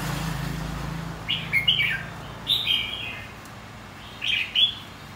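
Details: Red-whiskered bulbul, including the white-cheeked form, giving song used to provoke and train birds for singing contests: three short, bright warbled phrases spaced about one and a half seconds apart, over a steady hiss and a low hum.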